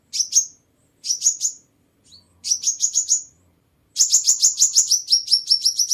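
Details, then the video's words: Sunbird song used to attract birds: short bursts of three to four sharp high chirps, then a long, fast, steady series of clipped high notes running to the end. "Tiếng Chim Hút Mật 7 Màu || Hút Mật Xác Pháo"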